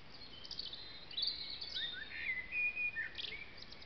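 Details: Great tits feeding at a bird feeder in a tipi in woodland: a quick string of thin, high chirps and short whistled notes, some sliding downward, scattered irregularly over a soft background hiss.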